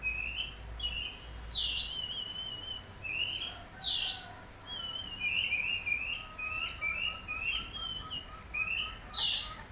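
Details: Oriental magpie-robin delivering a lively, continuous song of rising whistles, rapid trills and bright high chips, with phrases following each other closely over a faint low hum.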